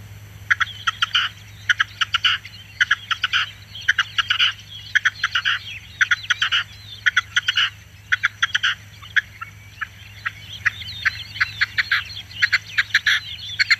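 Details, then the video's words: Singing Red-legged Partridge giving a long run of repeated phrases: quick dry clucks building to a longer rasping note, phrases roughly every second, in places overlapping, with a low constant hum underneath. "perdiz Roja cantando sonido"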